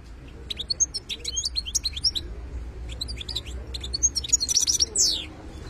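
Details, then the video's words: Wild European goldfinch song: bursts of rapid, twittering, high tinkling notes and short liquid phrases, delivered in two main runs with a brief pause, over a steady low background rumble. "حسون خلاوي #chardonnerert_chant #تغريد_الحسون"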